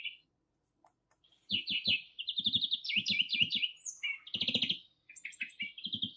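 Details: Greenfinch singing at a spring feeder in Kandalaksha, a bird that drives other birds away: a varied run of fast twittering trills and rippling phrases, shifting pitch every second or so, with brief pauses between bursts.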